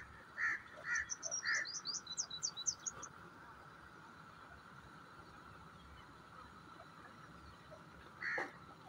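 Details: Grey francolin (teetar) kept for breeding: three loud, harsh notes about half a second apart open the sequence. A quick run of thin, high chirps from another bird follows, then one more loud note near the end over a steady hum.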